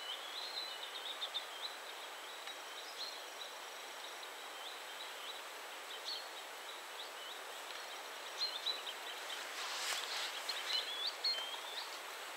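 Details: Male green sandpiper calling, with a second male flying in, displaying and flying off, gives thin, high whistled notes repeated quickly, over a steady hiss of background noise.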